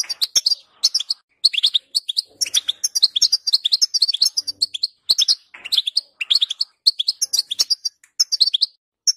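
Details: European goldfinch song intended to make a goldfinch sing, a long stream of cheerful twittering with bright liquid notes, buzzy trills and quick chirps, grouped in phrases separated by short silences.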